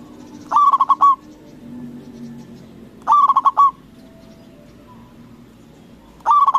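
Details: A local Indonesian zebra dove gives loud bursts of four or five quick, mellow cooing notes about every three seconds over a faint low hum, a cooing call used to provoke rival doves into answering.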